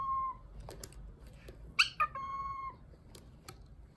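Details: Domestic cockatiel whistling My Neighbor Totoro. A held whistle fades out, and after a quiet gap a quick two-part chirp opens another steady, sustained pure tone, with soft clicks in between.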